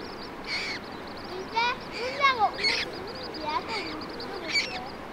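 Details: Common moorhen mother tending and feeding her fluffy chicks in Germany: short, harsh, arched notes mixed with thin, high peeps, in bursts about once a second over steady background hiss.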